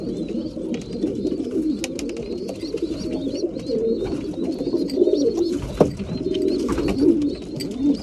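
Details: Mealtime among breeding pigeons: continuous low, rolling coos from many birds at once, topped by repeated faint high-pitched chirps and a few sharp clicks.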